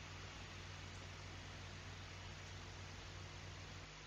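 Steady broadband hiss with a low electrical hum runs throughout, and no animal sound can be picked out.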